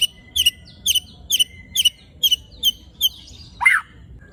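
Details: White-rumped shama (murai batu) in rough 'tembakan' and 'besetan' song, meant to provoke rival shamas: sharp clipped notes repeated about every half second over a thin steady tone, ending in a lower harsh squawk.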